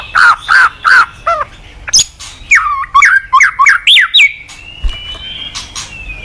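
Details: White-rumped shama song for training other shamas: three loud repeated notes, then a quick run of varied dipping whistles and a long thin high whistle at the end.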